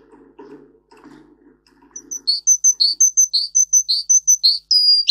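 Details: Russian singer canary, a breed kept for singing, used as a tutor song for young canaries: after two seconds of soft low rustling, clear high chirped notes repeat rapidly and evenly, about three per second, ending in a sharper downslurred note.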